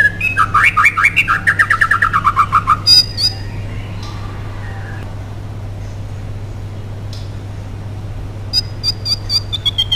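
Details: White-rumped shama song as a lure for other shamas: about three seconds of fast repeated chattering notes, then near quiet with only faint scattered notes before a few high whistles at the end; steady low hum.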